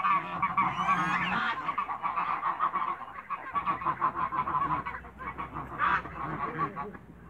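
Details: African and Toulouse geese in a backyard meeting other birds, giving a steady stream of overlapping nasal honks from many individuals, a shrill rising squeal early on and a louder honk burst near the end.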